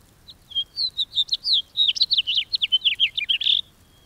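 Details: House finch singing one long, lively warble of about three seconds: rapid, high, jumbled chirps and slurred notes rising and falling, closing in a brief buzzy flourish, with a quiet background.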